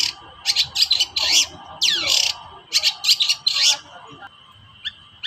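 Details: Agitated long-tailed shrike, played to stir silent shrikes into song: clustered bursts of harsh, high chatter, one long swooping note that slides downward, then a few faint clicks, with a faint constant high tone behind.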